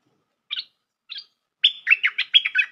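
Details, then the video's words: Bulbul call used as a trapping lure: two short chirped notes half a second apart, then a rapid run of loud whistled, slurred notes that rise and fall. "Suara pikat merbah lekir"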